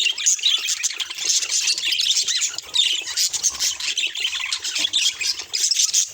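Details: Budgerigars give a steady run of harsh, high squawks mixed with squeaky chirps, rising and falling in loudness without a break.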